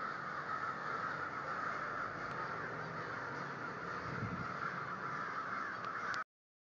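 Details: Lots of crows cawing at once in an unbroken, grating chorus of overlapping calls with a faint low rumble underneath, cutting off abruptly near the end.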